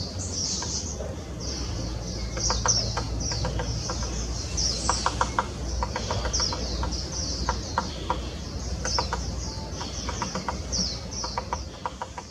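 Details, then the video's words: Grey-capped pygmy woodpecker in Taiwan, 2016, giving short bursts of sharp, dry ticking notes over a steady high twitter of small birds and a low background rumble. "小啄木 Grey capped Pygmy Woodpecker"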